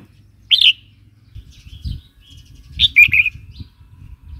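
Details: Song of a red-whiskered bulbul, used to stimulate new or wild birds and tutor young birds: a brief bright chirp, then a longer bubbly warbled phrase a couple of seconds later, with low background rumble.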